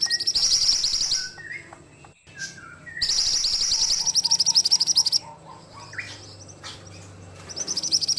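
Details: Ashy tailorbird singing vigorously: long, high, rapidly pulsed buzzy phrases repeated several times, with softer descending whistles from other birds in the pauses and a continuous low hum underneath.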